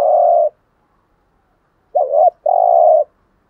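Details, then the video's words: Spotted dove in 'gù thúc' cooing style, meant to make decoy doves coo. The tail of a long buzzy note is followed by a pause, then one full phrase: a short wavering note and a held, level, reedy coo. "tieng chim cu gáy bài bản gù thúc bài bản, cu gáy giọng hay mở lên bổi gáy gù mỏi cổ"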